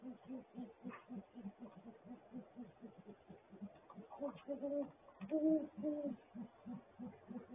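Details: Pair of great horned owls at a nest barrel, the male giving rapid gular-like pulses, about four per second, steady throughout, while deeper hoots break in near the middle with higher harmonics.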